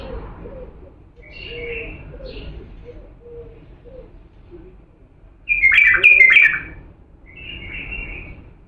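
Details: Authentic Diyala bulbul singing, used to train chicks: quiet warbled notes and faint low chatter lead into a loud, rich phrase of fluty whistles and quick slurred notes, followed by a softer trailing warble.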